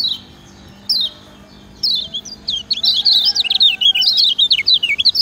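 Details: Lemon-bellied white-eye, called kecial kuning in Lombok, sings a 'ciak ciak' master song meant to get lazy birds singing: two downslurred chirps, then a long, fast, warbled twitter of high looping notes.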